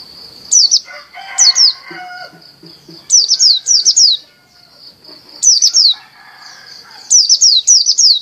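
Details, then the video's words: Champion dakun Bali white-eye in full song: short bursts of two to four quick, high, down-slurred chirps, separated by pauses of about a second, over a faint, continuous high hum. "SUARA PLECI DAKUN BALI JUARA GACOR"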